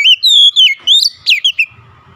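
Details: Oriental magpie-robin (kacer) song for a stressed bird: a quick sequence of loud, pure whistled notes, some long and level, others swooping sharply up or down.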